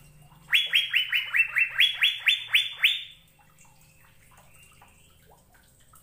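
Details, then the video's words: Song of an Asian fairy-bluebird, a masteran track meant to coax caged birds into singing: a single run of about twelve quick rising whistled notes lasting under three seconds, then faint scattered notes and near quiet. "BURUNG CUCAK BIRU GACOR"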